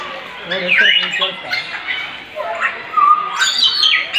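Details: Captive grey parrots in the bird house at Bannerghatta Zoo mimic songbird calls: a varied run of sliding whistles and squeaky chirps at mid to high pitch, mixed with harsher squawks and a low voice-like murmur underneath.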